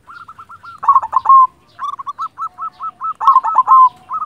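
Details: Silver-coloured local zebra dove in vigorous song delivers quick, bouncy, hooked coos interrupted by two loud, gurgling, trilled bursts, the notes staying close to one steady pitch.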